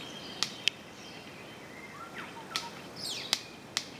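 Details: Orange-collared manakin performing its courtship dance near a female: six loud, crisp snaps spaced irregularly across four seconds, with soft sliding whistles between them over a constant background hiss.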